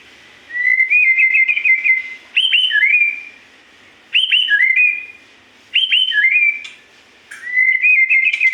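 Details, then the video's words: Magpie-robin in full song, repeating a bright phrase about every 1.7 seconds: a fluttering whistled trill followed by sharp upslurred and downslurred whistles, with quiet hiss between phrases. "burung murai gacor"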